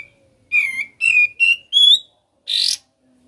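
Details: Series of four whistled notes, each slightly higher than the last, followed by a harsh rasping burst; a sooty-headed bulbul singing in the ngebren style.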